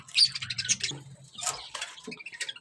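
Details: A flock of caged pet budgerigars chatters in quick, high, scratchy chirps and warbles that tumble over one another as they are given fresh spinach leaves. A man's voice murmurs underneath at the start.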